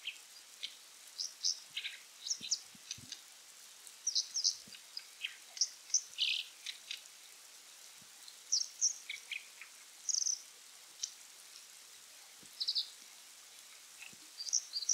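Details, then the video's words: Brown Dipper (Cinclus pallasii), wild in Japan near the end of November, singing repeatedly to claim territory; bursts of sharp high chirps, buzzy notes and brief trills come in phrases separated by short pauses over faint background hiss. "カワガラス 鳴き声"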